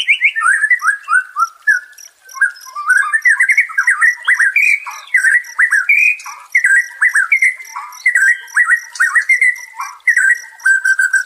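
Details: White-rumped shama song played as therapy for a stressed shama: descending whistled notes, then a long, varied run of rich, fluty whistles and quick slurred phrases.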